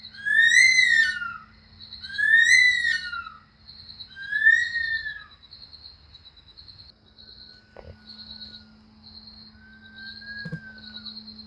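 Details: Bush Stone-curlew in Australia, a ground-nesting bird, giving its famous night-time scream: three drawn-out, eerie wailing notes, each sliding downward, about two seconds apart, over a steady high whine and low hum, with faint whistles later.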